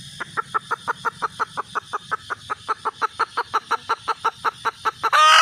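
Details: Red junglefowl hen: steady run of about twenty-three short, evenly spaced clucks at roughly four per second, ending in the start of a loud harsh squawk.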